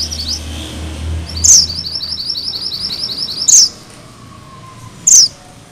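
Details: High 'ngerol' rolling song from a Sunda bush warbler, used as master song for magpie-robins. Brief trilled sawtooth runs are broken by three sharp, squeaky, high notes about two seconds apart, with faint low hum beneath.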